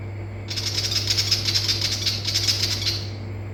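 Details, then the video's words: A Willie wagtail in Far North Queensland, Australia, gives a harsh, rapid rattling chatter of quick scratchy notes lasting about two and a half seconds, over a steady low hum. "Willie Wagtail Call"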